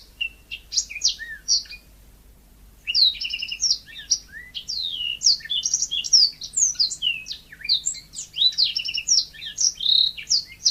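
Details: Yellow-fronted canary singing lively, natural song: rapid bright chirps, trills and upslurred whistles tumbling over each other, a short pause after two seconds before a dense, continuous run of varied high notes.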